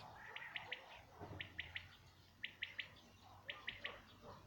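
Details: Common quail singing, 2019: four crisp triplet phrases, each three short bright notes in quick succession, spaced about a second apart over a soft background hiss.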